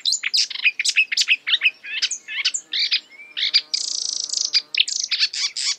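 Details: Marsh warbler singing its borrowed phrases: quick chirps and clicks, then a long buzzing rattle and more choppy high notes in near-continuous delivery.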